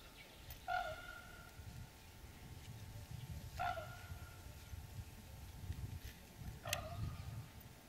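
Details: Common raven giving one of its various vocal calls: three short, hoarse, harmonic calls spaced about three seconds apart over a steady low rumble.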